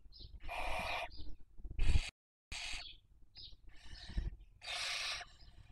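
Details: At a webcam nest in Cabañeros National Park, Spain, a Barn owl during the 2023 breeding season: harsh hissing screeches lasting about half a second to a second, separated by brief high squeaks and short pauses.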